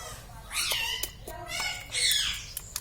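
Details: Pet green ringneck parrot in a small room: two drawn-out, wavering squawky calls with layered harmonics, rising then falling, separated by brief clicks and a pause.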